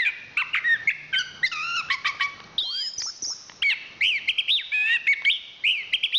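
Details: Chestnut-capped thrush (anis kembang), national champion songbird, singing repeated stuttering whistled notes followed by rising sweeps and looping high phrases, bright and rapid throughout.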